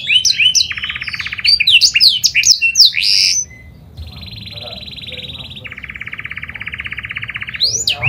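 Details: Panda canary giving lure song to draw other canaries into singing: bright chirps and a pulsed trill, then after a pause two long steady buzzy rolls and a final upward whistle.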